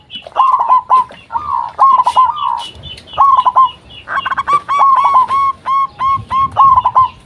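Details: Lure calling by a local zebra dove meant to make other doves respond: grouped phrases of rippling, rolling coos with bright overtones, separated by short gaps.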